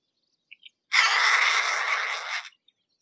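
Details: Harris's hawk giving a single harsh, raspy scream lasting about a second and a half. The call is a broad, grating burst that stays fairly even, then cuts off. Two faint short notes come just before it.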